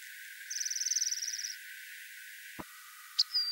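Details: Rock wren giving one rapid trill of about a dozen bright, evenly spaced notes lasting a second, followed after a pause by a sharp click and a short high whistled note.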